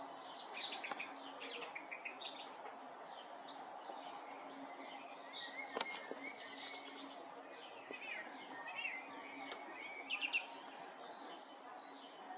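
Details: Song thrush singing: a run of short, varied whistled and chirping phrases, some notes repeated in quick clusters. Faint against a steady hiss and a low hum, with scattered calls from other birds.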